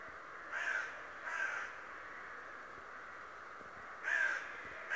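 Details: Raven, described as a talking bird, calling three rough, grating caws: two close together, then a pause of over two seconds before a third. A faint background hiss runs throughout.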